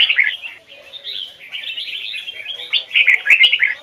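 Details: Red-whiskered bulbul, a Vietnamese training bird with a standard Hoài Sơn forest double-note voice, delivering rapid overlapping warbled notes, loud at the start and again in a strong closing burst.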